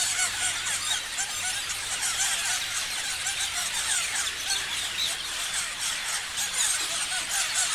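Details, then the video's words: Chirping parrots in a large group fill the air with rapid, overlapping high squeaks and curling notes, the chatter swelling slightly in places but never pausing. "Parrots chirping sounds"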